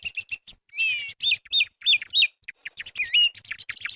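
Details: Song thrush (Turdus philomelos), song.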